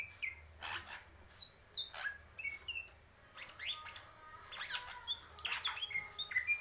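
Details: Greater green leafbird of the purwo mendem gadong style, singing a varied run of whistled and chattering notes, with sharp clicks, short rising and falling slurs, and high bright whistles in two bursts.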